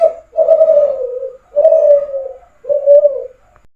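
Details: Kelantan-type spotted dove, called derkuku, calling briskly: three low, hoarse coos in quick succession, each swelling then sliding slightly downward, separated by short pauses, in a quiet setting.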